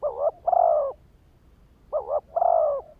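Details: Two close phrases from a decoy spotted dove luring wild males: a quick wavering double coo followed by a long, even coo.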